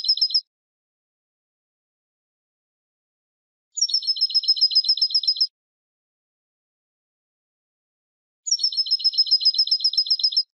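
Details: European goldfinch singing in the silvestrismo tradition: three bright, high twittering bursts of rapid, buzzy repeated notes, a brief fragment at the start, then two phrases of about two seconds each, separated by silence.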